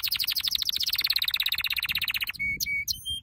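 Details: Canary singing a training song, a rapid rattling trill of sharp repeated notes that gives way to a few clear, pure whistled notes with short gaps between them.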